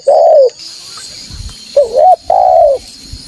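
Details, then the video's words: Spotted dove cooing, a call played to lure wild doves in Indonesia: three low, smooth, hooting coos, the middle one wavering, each about half a second long, over a steady high background hiss. "Suara Burung Derkuku Gacor Sangat Ampuh Untuk Pancingan Dan Pikat Tekukuir Liar"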